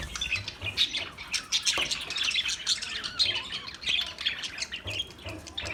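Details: Australian parrots chirping: continuous overlapping high squeaks and twitters with occasional soft low thumps.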